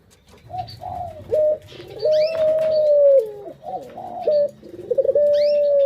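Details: Pet Barbary dove calling as a lure to excite other birds: low rolling coos rising into a long even hoot that dips at the close, followed by another rolling phrase, with faint higher chirps behind.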